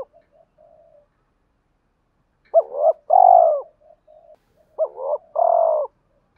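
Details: {'caption': 'Male spotted dove cooing to provoke fighting and to call a mate: soft low hums, then two phrases, each a short rising note followed by a longer, fuller, slightly descending coo, in a quiet setting.'}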